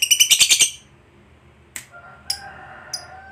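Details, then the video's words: Lovebird fighter giving a quick burst of about six rapid, harsh high notes, then a pause and a few scattered single chirps. "Suara Burung Lovebird Ngekek Panjang, PANDAI Pancing EMOSI, LABET Yang Dengar TERBUKTI Cepat BUNYI"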